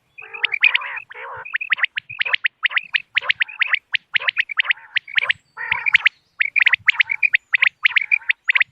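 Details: Common quail heard as a moonlit-night hunting lure: a long, fast series of sharp, high, clicking notes in uneven clusters, opening with lower, buzzy, nasal bursts.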